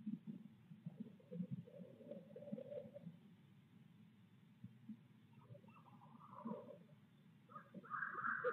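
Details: A pair of barred owls in Midtown Tulsa hooting with monkey-like chatter before a visit, 8 February 2022; low gruff notes throughout, then rising, higher wailing calls toward the end growing louder.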